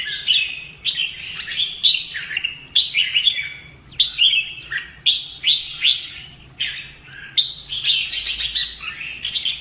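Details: Caged red-whiskered bulbul trained for fighting song, producing repeated short whistled phrases that dip and rise, about one per second, ending in a denser harsh trill.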